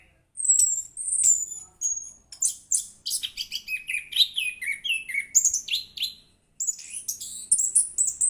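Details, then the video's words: Orange-headed thrush singing vigorously with a melodious voice: a rapid, varied run of high whistles, slurred notes and buzzy trills, phrases tumbling one after another with a brief pause near the end, then resuming. "Burung Anis Kembang Gacor, Suaranya Merdu"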